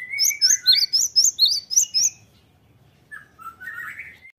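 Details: Cinereous Tit lure song to provoke answering birds: a fast string of high sharp notes over lower slurred whistles for two seconds, then a pause and a softer rising warble.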